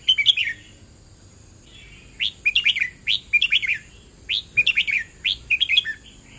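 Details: A red-whiskered bulbul pours out double-rik song. After an opening whistled phrase and a brief pause, it gives a lively run of about six rapid phrases, each an upswept note followed by quick melodic chirps. A faint steady hiss is audible.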